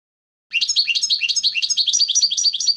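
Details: Liquid twittering song of a European goldfinch, a dense stream of quick, high, slightly rolling notes that starts abruptly and keeps a steady fast pulse.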